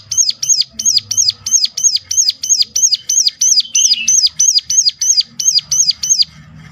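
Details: Sunda warbler delivering a continuous series of piercing hooked notes, roughly three per second for nearly seven seconds, a call used to lure others of its kind into singing.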